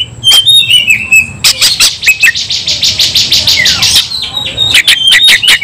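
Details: Fighting white-rumped shama, whistled slurs followed by a fast rattling series of harsh buzzy notes, then sharp clicks and rising whistles.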